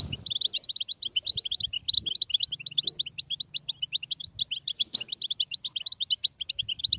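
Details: A goldfinch sings without pause, with lively, tinkling, high-pitched twitters tumbling quickly one after another for several seconds over a soft low background hum.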